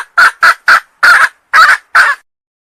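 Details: Wild female junglefowl of Sumatra, calling to draw in males, utters six short, harsh, staccato notes over two seconds, the later ones slightly longer, followed by silence.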